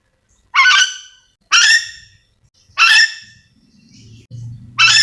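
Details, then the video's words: Yellow-and-green lorikeet (nuri dora), a parrot endemic to Sulawesi, calling: loud, harsh, grating screeches about a second apart, each cut off sharply, with a faint low hum between them. "Suara asli nuri dora memanggil"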